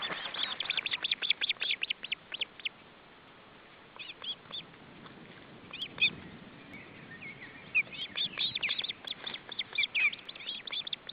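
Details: Osprey at the nest with fish brought for supper, July 2012: long runs of rapid, high, thin chirps, then a quieter gap, then more chirping series over constant background noise.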